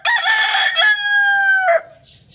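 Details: Rooster crowing loudly: one long, harsh, strongly harmonic crow of nearly two seconds, broken near the start and then held level before cutting off, with quiet low background hum.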